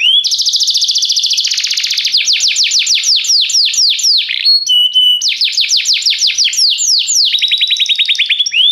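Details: Restless canary singing a fast, loud song: rapid repeated downward-sweeping whistled notes, high trills and a brief steady whistle, changing phrases every second or two with hardly a pause.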